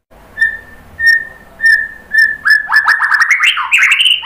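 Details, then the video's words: White-rumped shama repeating a short steady whistle four times at even intervals, then breaking into a fast, rising stream of varied whistled notes. "KICAUAN MURAI BATU"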